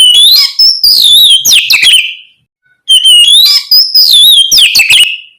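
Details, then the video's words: Oriental magpie-robin song meant to prompt other magpie-robins to answer: two loud phrases of bright rising and falling whistles mixed with harsh clicks and warbles, split by a brief half-second silence. "Terapi suara Kacer ngeplong gacor untuk merangsang Kacer apa saja agar lekas nyaut bunyi gacor"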